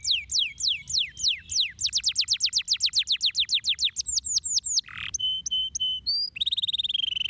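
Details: Canary singing loud and close in a rapid, varied song. It runs through fast repeated downslurred notes, quicker rolling trills, brief steady whistled tones and ends with a very fast buzzy trill.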